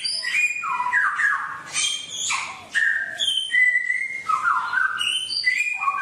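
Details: Varied song of a songbird, used as training playback for caged birds to pick up wild song: whistled phrases stepping between low and high notes, some sweeping down, with short pauses between bursts.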